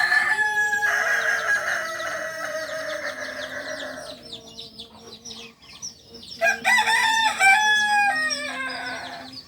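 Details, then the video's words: Kukuak Balenggek rooster, a native singing chicken of Solok from a farm in Solok city: a sustained crow over four seconds, a pause full of bird chirps, then a second stepped crow with several quick undulating notes. "Ayam kukuak balenggek ayam penyanyi asli solok"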